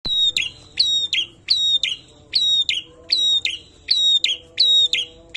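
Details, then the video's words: {'caption': 'Prinia singing a loud, lengthy song in the style known locally as "ngalun kenceng". Sharp, bright chip notes with a downward buzzy tail repeat steadily, about one every 0.7 seconds, over a quiet background.'} "Perenjak ngalun kenceng"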